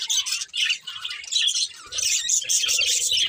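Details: Budgies chattering loudly and continuously, a dense, high, scratchy warble of overlapping chirps with only brief dips in volume.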